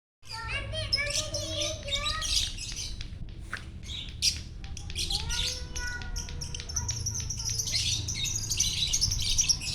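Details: Champion lovebird singing gacor-style in the morning as the sun rises, Parahyangan Village, Jatihandap, Bandung: dense bursts of shrill, squeaky chatter, with lower whistled and sliding tones and a steady low hum underneath.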